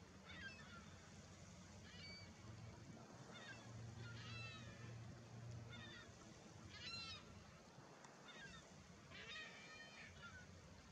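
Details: Black oystercatcher (Haematopus bachmani) at Willingdon Beach, 22 April 2018, giving loud, sharp piping whistles in short bursts every second or two over a steady rumble of surf.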